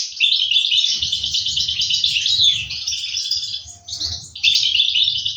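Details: Goldfinch nestlings calling while the parent birds feed them, 2023: insistent high-pitched twittering chatter that runs nearly nonstop, briefly dipping before rising again, with soft low rustling underneath.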